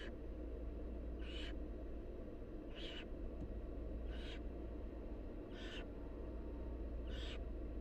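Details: Five raspy, snore-like hisses from barn owl nestlings in the wild, uttered while the mother feeds them, repeating about every one and a half seconds over a continuous low hum.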